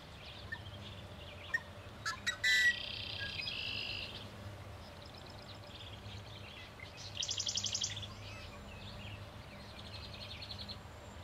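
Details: Male Yellow-headed Blackbird at Turtle River State Park, North Dakota, 26 June 2009, gives a few clicking notes, then a harsh grating buzz, with a second rasping burst several seconds later over low background hum.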